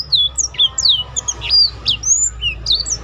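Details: Short stretch of black-throated canary tutor song: thin, high slurred whistles and chips spaced unevenly, at roughly one and a half per second.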